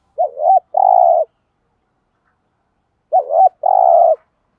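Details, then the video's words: Spotted dove used as a lure bird, cooing to attract wild doves: two phrases, each a short wavering coo followed by a longer, steady, slightly falling coo, separated by a pause of about two seconds. "tiếng chim cu gáy kích bổi nhanh nổi gù, cu mồi gáy giọng hay hợp bổi"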